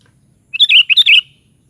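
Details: Gurgling song phrase from a sooty-headed bulbul: roughly six quick, clear whistles tumbling together in well under a second, rich and liquid, then silence.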